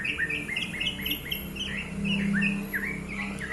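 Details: Murai (white-rumped shama) lure song meant to prompt another bird to sing: a quick series of short downslurred whistles repeated several times a second, with a steady low hum behind.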